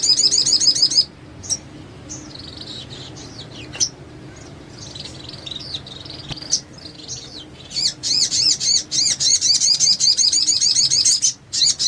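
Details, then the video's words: Sogon masteran recording for coaxing lazy or silent birds to sing: a high rapid trill opens, fades into soft twittering and thin notes, then a louder choppy trill returns near the end. "Masteran Sogon Gacor,sogon lain pasti ikut bunyi"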